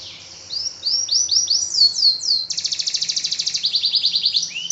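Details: Singing canary delivering a string of quick downward-curving whistled slurs, then switching abruptly to fast, evenly pulsed metallic rolls and a brief rising whistle at the end.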